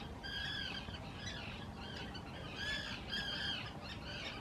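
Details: Common terns at the Hula Nature Reserve in Israel, spring 2018. They give loud courtship calls while taking nesting areas on man-made islands. Harsh, downslurred squawks with bright overtones come in clustered bursts over steady low background noise.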